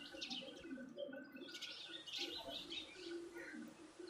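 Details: Birds chirping while eating food: short, high chirps scattered in quick bursts over a steady low droning hum throughout.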